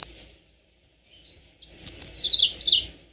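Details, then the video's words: Yellow-fronted canary (mozambik) used as a lure recording to get birds singing long rolling songs: a sharp chirp, then a fast, high, twittering warble of run-together notes sliding gently downward over about a second. "burung mozambik biar gacor ngerol panjang"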